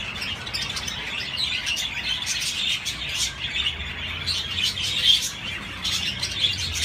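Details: Budgerigar chirping: constant high-pitched warbling chatter, many quick twittering notes overlapping, one sharper accent around the middle, with a faint low hum underneath.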